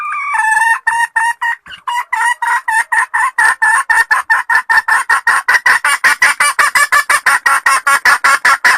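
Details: Loud cackling from a wild red junglefowl hen: a rapid, rhythmic series of over thirty short, harsh, clipped clucks, about two or three per second. It keeps a steady pace with little pause throughout.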